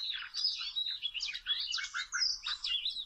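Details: Wild Oriental magpie-robin, caught for trapping with small ropes; a rapid, continuous run of varied whistled and chirping notes, mostly high-pitched, with sharp slurred phrases tumbling one into the next over three seconds, no other clear sounds.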